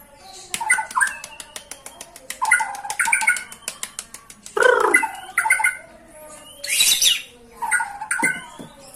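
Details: White-rumped shama song, described as lively: varied whistled phrases mixed with rapid clicking ticks and harsh bursts, with a loud rasping noise near the end.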